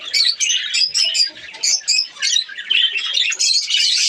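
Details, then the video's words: Captive budgerigar breeding colony in Pakistan, breeding season; many birds give sharp high chirps and squawky warbles in quick pulsed bursts, overlapping into a busy chorus. "australian parrots budgies ke birds colony"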